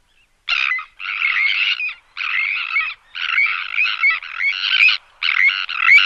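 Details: Sandwich tern in the Odiel Marshes, Huelva, Spain, giving loud, harsh, grating calls in quick bursts of about a second each.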